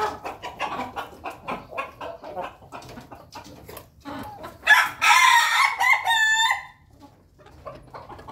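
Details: Flock of Ayam Ketawa chickens feeding together in a coop: a run of short, rapid clucks repeated about three per second, then a loud, ringing crow of stacked tones that breaks into choppy, stuttering phrases before stopping abruptly.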